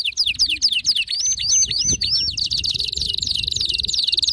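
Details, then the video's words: Wildly excited canary singing rapid looping whistled notes that merge into a dense, continuous high trill, with faint low background noise beneath. "هيجان ذكرى كناري سيجبر كناريك على التغريد فورا"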